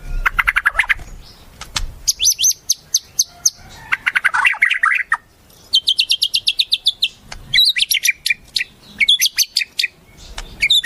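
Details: Mimicry-rich white-rumped shama song taken from wild birds, delivered as a dense string of varied high chattering bursts, trills and rapid clicks that switch style every second or two.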